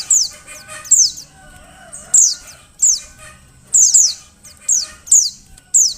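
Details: A female Oriental white-eye's calls, used to get male birds singing: piercing, falling chip notes in pairs and triplets at uneven intervals, with faint lower warbling behind.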